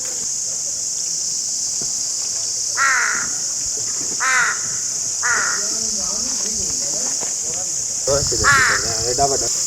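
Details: Crow giving loud, hoarse, downward-bending caws roughly every one to two seconds, ending in a stronger double caw, over a steady background hiss.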